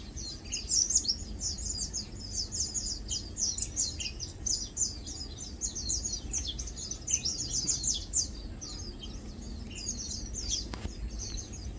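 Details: Lowland White-eyes chilling, feeding and preening: rapid, high, thin tweets from several birds in lively clusters, easing off toward the end, with a brief click and low rumble behind.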